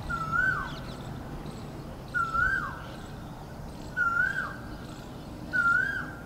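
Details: White-breasted waterhen at Shiv Nagar, 04-06-23, giving four short, hooked mid-pitched notes that rise then slide down, one roughly every 1.7 seconds, over a steady low background rumble.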